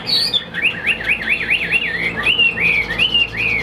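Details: A Chinese hwamei in captivity sings a high opening whistle, then a steady chain of looping rising-falling notes, roughly two loops per second, clear and loud throughout.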